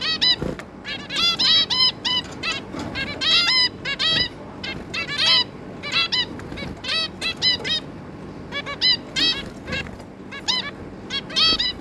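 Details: Family of zebra finches, a pair and three juveniles, 11 May 2022: rapid runs of short, nasal, trumpet-like beeps stacked with harmonics, several birds calling over one another almost without pause.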